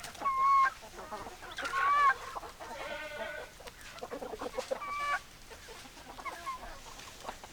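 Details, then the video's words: Chickens, hens and roosters together: loud, ringing, slightly rising clucks and short drawn calls repeated irregularly, with fainter clucking from several birds between them. "Chicken Sounds Noises Hens Clucking Roosters Crowing"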